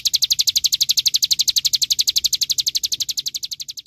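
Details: Olive-backed sunbird singing a rapid, even trill of piercing high notes, around ten per second, holding steady for nearly four seconds with slight softening toward the end.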